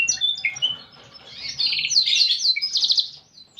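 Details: Canary singing a distinctive cengkok song: scattered whistled notes and slurs at first, then a loud, dense warbling trill that climbs higher before trailing off into quiet.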